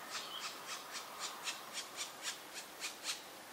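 Black woodpecker giving a quiet series of harsh, raspy notes, about three per second, steady and fairly high-pitched.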